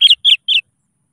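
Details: Sooty-headed bulbul singing to lure rival birds into song: three loud, clear, slightly falling chirps in quick succession, then silence.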